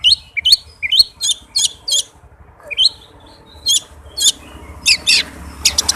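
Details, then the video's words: Oriental magpie-robin singing a quick, dense lure song to trigger silent magpie-robins: a rapid run of upswept chirps followed by spaced harsh, scratchy high bursts over soft background hiss. "suara Kacer speed rapat cocok buat pancingan kacer yang susah on"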